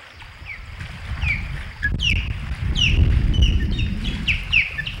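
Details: Three ospreys at a nest on Hog Island, 15 August 2020: a rapid series of sharp, descending whistled chirps, several per second, over a heavy low rumble of wind or engine noise with a faint insect hum.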